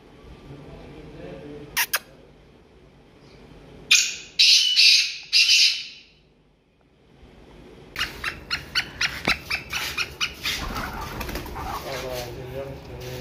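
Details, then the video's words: Black francolin (Francolinus francolinus) gives harsh, grating squawks in a short burst, then a rapid run of dry, scratchy clicking notes about twice a second, over faint background hum. "black francolin voice | black teetar | kala teetar"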